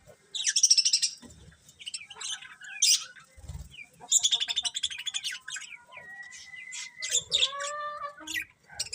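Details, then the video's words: Colourful pet budgies chirping: bursts of rapid, buzzy, high chatter alternate with clear sustained whistled notes, some flat and some gliding, plus occasional soft low thumps. "Cute Colourful Budgies Chirping Sounds"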